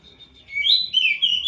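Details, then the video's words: Prinia, a kept bird bathed every night, giving a short burst of high whistled and chirping notes that rise and fall, louder in the second half, against a quiet background. "Suara Burung Poci"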